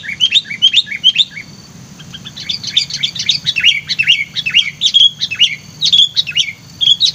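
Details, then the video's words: Sooty-headed bulbul kept as a lure bird, described as lively and highly vocal: rapid bursts of bright, bubbly chirped notes in quick runs, pausing briefly near the two-second mark before resuming in dense, repeated phrases. "pikat kutilang ini sangat GACOR LINCAH & VOKAL"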